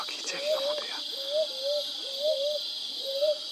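A Brown Hawk-Owl gives soft, mellow two-part hoots, 'hoo-up', repeated about once a second, over a steady high hiss of insects.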